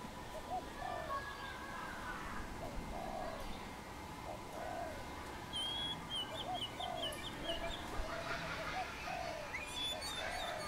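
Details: A wild dove on a tamarind branch in Khmer country gives a string of low, rounded coos through the clip, while other birds add thin rapid trills and high chirps in the middle and at the end.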